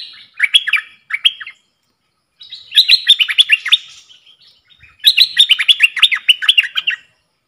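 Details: Bulbul kept in a cage as a decoy, duelling in song with wild birds, dated 03/10/2564 in the Thai calendar. Clear, bubbly warbled phrases of quick rising and falling notes come in three bursts, the last two long and rich.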